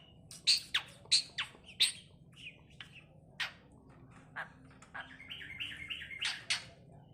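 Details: Tame talking myna, jalak suren, making sharp high chirps and whistles, a run of clicky notes early then a stepped, wavering whistle near the end; a man's greeting heard around it.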